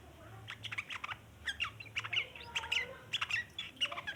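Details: Sooty-headed bulbul chattering at length, used as a lure for other bulbuls; clustered sharp chirps and scratchy bursts, about 103 notes a minute in uneven groups, with quiet gaps between clusters.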